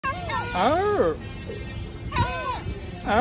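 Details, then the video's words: Gulls calling at Bristol Harbour: loud, nasal, rising-then-falling wailing cries, one long call followed by shorter ones, over steady low harbour rumble. "Seagulls talking at Bristol Harbour"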